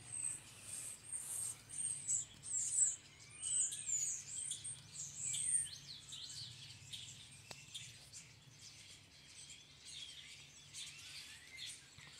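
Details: Starlings massed in a tree keep up a dense, overlapping chorus of shrill whistles, clicks and squeaky chatter, loudest during the first six seconds and then thinning into softer twittering over low rumble.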